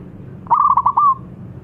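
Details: Zebra dove, local strain, in vigorous calling: one brief, bright phrase of quick pulsed coos ending in a smooth drawn-out note, lasting under a second.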